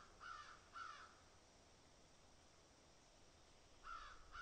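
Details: Crows picking and eating; two harsh caws in quick succession, a pause of nearly three seconds, then two more caws, over a faint steady background hiss.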